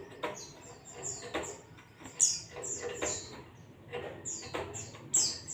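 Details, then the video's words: Ngalas-style white-eye song: rapid series of high, sharp chirps and thin descending notes, loudest bursts near the middle and end, mixed with dry clicks or taps and faint low background hum. "zosterops bird sound"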